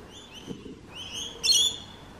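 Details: Rainbow lorikeet giving short shrill notes, then a loud harsh screech near the end.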